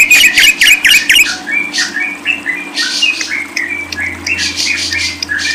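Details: Lovebird opening with a rapid series of sharp, repeated squeaky notes, then settling into looser high chattering and twitters. A steady hum runs in the background.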